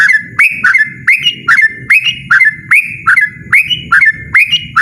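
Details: Rapid, loud 'ropel' song from a yellow-vented bulbul, with energetic whistled notes rising and falling in quick bursts, about three per second, accompanied by a pulsing low rumble.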